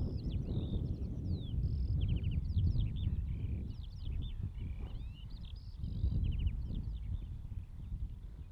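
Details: Eurasian skylark in Latvia singing a continuous, rapid stream of high chirps, short trills and slurred whistled notes with no pauses, over a heavy low rumble of wind or background noise.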